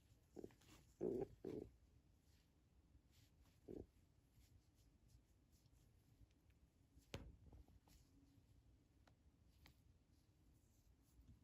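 Pigeon giving soft, low throaty coos: a quick cluster in the first two seconds, one more a little later. Then a quiet room with a sharp knock.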